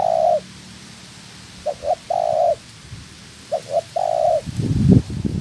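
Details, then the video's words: A female spotted dove, a trap-decoy bird in training, gives low hollow coos in a repeated phrase: one long note, two short, then another long, with rustling at the end. "Chim Cu Gáy"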